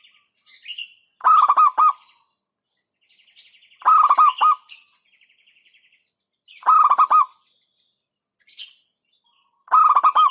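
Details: Local zebra dove repeating its song: four rolling bursts of rapid stuttered cooing notes, roughly every two and a half to three seconds, with soft chirps from other birds between phrases.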